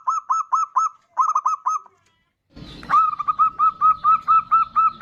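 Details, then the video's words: Zebra dove (perkutut, bodronoyo type) singing actively, used as a lure to get other birds singing: two quick bursts of four or five rapid, even cooing notes, a pause with a rumbling knock, then a longer run of about ten steady notes. "Pancingan perkutut bodronoyo gacor super ampuh untuk pancingan."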